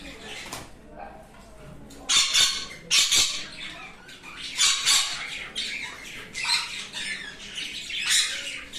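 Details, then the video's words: Sun conure giving harsh, raspy squawks in separate loud bursts around two, three, five and eight seconds, with quieter scratchy chatter between them. "Sun Conure Bird"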